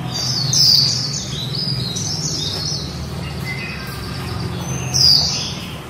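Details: Female white-eye singing a líu phrase: a sharp high note, then a soft run of thin twittering, ending with another bright downslurred note, over a low rumbling hum.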